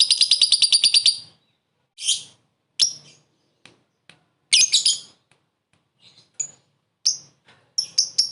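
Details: Lovebird calling a rival, short ngekek laughing call for luring: an opening fast rattle of high chirps, then scattered harsh screeches and sharp single notes with gaps.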